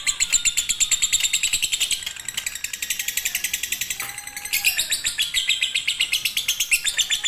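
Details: Lovebird singing in the fighter and konslet style, used as a master song for birds reluctant to sing; long high-pitched chatter of rapid notes, about four per second, with a brief pause midway.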